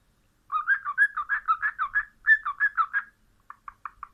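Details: Cockatiel (Nymphicus hollandicus), chatter.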